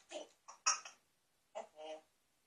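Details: An African grey parrot at a mirror gives five short, chattering, speech-like syllables with brief pauses between, in a quiet room. Some are harsh and breathy, and the last is a clearer tonal note.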